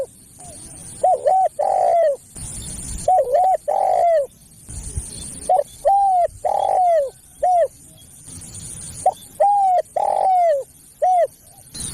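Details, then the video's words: Spotted dove call used to lure other doves: phrases of quick paired coos ending in a drawn-out, downward-bending coo, repeated roughly every two to three seconds, with brief bursts of background noise between phrases. "SUARA PEMANGGIL BURUNG TEKUKUR"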